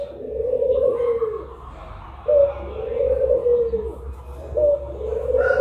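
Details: Collared dove of the puter pelung type cooing in a steady low voice, drawn-out notes falling gently at the end, three coos in a row with brief gaps.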